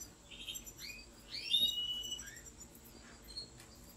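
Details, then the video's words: European goldfinch kept by expert breeders in a large aviary, singing a few quick rising and falling twittered notes, high and thin, with a faint steady electrical hum underneath. "طائر الحسون : مقاطع روعة من داخل أكبر السلاكات لبعض المربين المحترفين"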